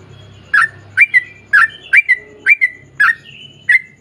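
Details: Sooty-headed bulbul singing vigorously in ropel panjang style, used to prompt others to answer. Clear, slurred, whistled notes, roughly two per second, over a steady low hum.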